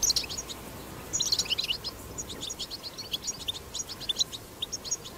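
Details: European goldfinch recorded wild, singing 'batbata' song. A loud opening twitter is followed by fast tinkling phrases and scattered high chirps, over a low ambient hiss.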